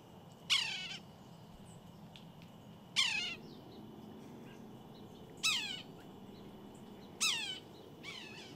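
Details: Red-breasted sapsucker calling: harsh, nasal, downward-slurred mewing squeals with rich harmonics, four calls spaced about two to two and a half seconds apart over a steady low background hum.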